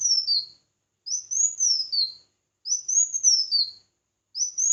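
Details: Red-whiskered bulbul singing competitively, giving loud, clear phrases about every one and a half seconds, each a rising then falling warble with a lower dip at the end.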